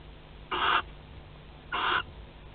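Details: Barn owl pair at their Théding nest, 25 May 2020, webcam recording of cuddling and mating; two loud, noisy, breathy screech-hisses roughly a second apart against a soft background hum.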